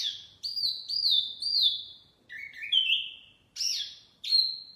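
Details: Wambi mini singing hard, used to attract birds for capture: three long, level whistled notes, then rising, slurred phrases and sharp falling whistles separated by brief pauses.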